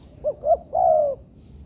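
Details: Spotted dove being trained as a young bird in an artificial yard gives one cooing phrase: two short, rounded, rising-falling notes, then a longer, steady, hollow coo about half a second long, over a quiet background.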